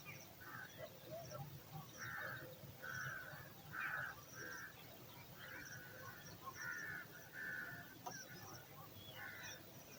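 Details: Eagle chick in its nest calling for food while waiting for dinner: a series of rough, drawn-out squealing notes at uneven intervals, some run together, over a steady background rumble.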